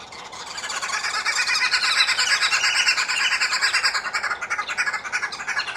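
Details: Red-billed (green) wood hoopoes feeding their chicks and clowning around give a dense, harsh cackling chatter of fast, scratchy notes, almost unbroken and rising in intensity, then falling into pulsing bursts.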